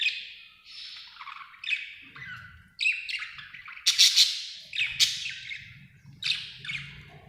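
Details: Contented budgerigar chattering: a busy stream of scratchy chirps, squeaky whistles and harsh buzzy notes in quick bursts, with a faint low rumble in the background.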